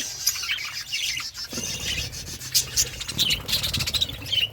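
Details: Budgerigar flock eating food, with a dense stream of very high chirps, sharp tweets and quick warbles, louder and more clipped in the second half.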